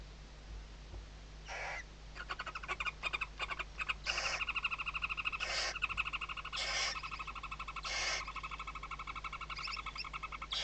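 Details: Western barn owl nest at Riet Vell, Ebro Delta, Tarragona, Spain, 2023 season, chicks under mother's wings: repeated breathy hissing screeches every second or two, mixed with rapid runs of buzzy twittering notes.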